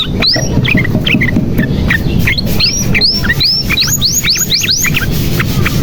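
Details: Canary song for prompting silent birds: scattered chips building into a run of repeated arching whistled upslurs, over a constant low rumbling background.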